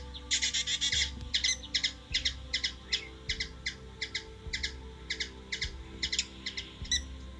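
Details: Hummingbird recorded in Washington DC, USA: a rapid run of dry, high chipping notes, some clustered into brief stuttering bursts, with a constant low drone beneath.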